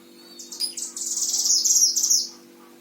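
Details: Oriental white-eye kept as a caged tutor bird in Sragen, Central Java, Indonesia. Delivers one sustained, very high, rapid trilling phrase lasting over a second, over a faint steady hum.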